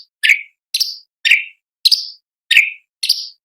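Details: Sooty-headed bulbul in a tutor recording used to train competition songbirds: sharp downslurred notes with a high overtone, each given singly about every half second, with clean silent gaps between.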